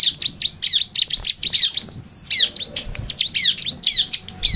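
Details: Bar-winged prinia song, a lively, energetic run of high, sharp chirps and down-slurred whistled notes, rapid and almost continuous across the whole stretch.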